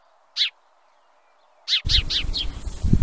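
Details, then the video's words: House sparrow giving bright, harsh chirps: one alone, then a quick run of four, with a low rumbling background coming in partway through. "Chant du Moineau domestique"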